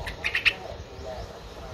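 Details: Three-day-old Streak-eared Bulbul chicks in the nest, Ubon Ratchathani, Thailand, 5 April 2023: four short, harsh, squeaky calls in quick succession within half a second, followed by a low background hum.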